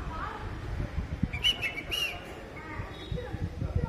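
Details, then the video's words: In the morning, a red-vented bulbul gives a short burst of bubbly, whistled notes over about half a second, amid low rumbling background noise and a nearby voice asking for rice to feed it by hand. "Red-vented Bulbul says good morning"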